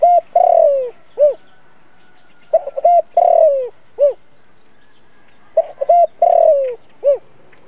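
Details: Spotted dove used as a trapping lure, singing in a local-accent style to draw wild doves: three-part cooing phrases, two short notes, a long falling coo and a clipped final note, repeated about every three seconds, three phrases in all.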